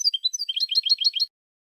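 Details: Brief European goldfinch song fragment: a few slurred chirps then a tight series of rolling paired twitter notes.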